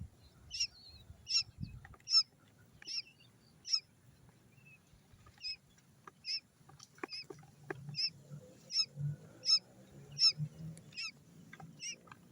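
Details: Quail chick calling, smaller than a chicken chick: short high thin peeps repeated roughly every three-quarters of a second, some doubled, fairly faint, with low background rumble and handling noise.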